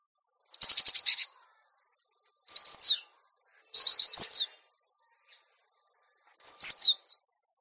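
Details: Cinereous tit on a training recording for caged birds: a harsh buzzy rattle opens, followed by three short phrases of quick, high, downslurred whistled notes with clear pauses between them. No other sounds.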